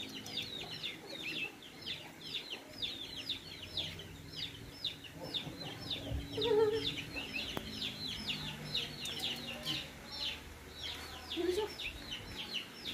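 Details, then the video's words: Uncaged Javan mynas living among people keep up a dense stream of harsh, squeaky chattering notes throughout, with an occasional brief low sound in the background. "Bermain bersama Jalak Kebo liar"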